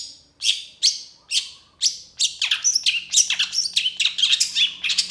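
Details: Cendet, the long-tailed shrike, in lively 'gacor emosi' song: four spaced, rasping descending strokes, then a quickening run of harsh chattering notes. A faint low steady hum sits beneath.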